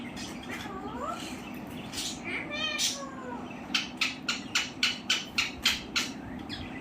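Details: Pet parrot talking, said to say "Radhe Radhe": short harmonic voice-like phrases rise and fall early, then a quick run of about ten sharp, evenly spaced clicky bursts, over a steady low hum.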